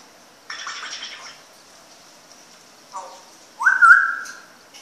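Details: African grey parrot giving a few short calls: a brief buzzy burst, a low squawk, then a loud whistled note that sweeps up and holds steady, with gaps of quiet between.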